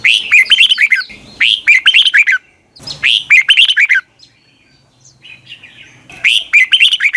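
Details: Red-whiskered bulbul singing its morning training song, long double-twisting style, meant as a decoy voice for other bulbuls. Loud warbled phrases of rising and falling liquid notes come in a tight cluster, then a pause, then another.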